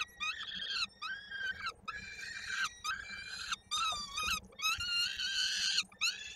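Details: At a nest in Koszalin, Poland, on 16 May 2022, a peregrine falcon chick being fed by the female, with a leg stuck in a beak, gives loud hoarse wailing screams in rapid bursts with short gaps.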